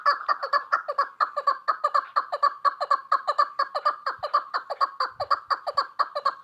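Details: Repeated clucking of a female chukar partridge, clear evenly spaced chuk notes at about two per second, held steady throughout with a quiet background.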